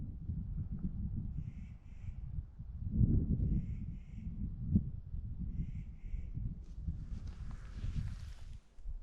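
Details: Clark's Nutcracker in wind-swept winter snow at Carson Pass, Lake Tahoe area, giving harsh, grating paired "rant" calls about every two to three seconds, three times, over heavy low wind rumble.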